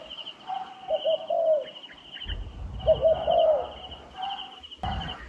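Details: Wild turtle dove cooing in a trapping setting: two phrases of quick hollow notes ending in a longer wavering croon, about two seconds apart, with a steady high insect buzz and low knocks behind.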